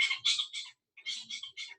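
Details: Spotted owlet (Athene brama), a highly vocal owlet of India heard early morning or in daytime, gives harsh, screechy churring chatter in two quick bursts of about three notes each, separated by a short pause.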